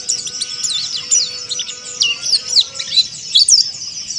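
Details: Oriental white-eye of the monty type sings harsh 'ngeriwik kasar' twitters: high, sharp chirps with steep up-and-down slurs in rapid clusters and short gaps, with faint steady tones behind.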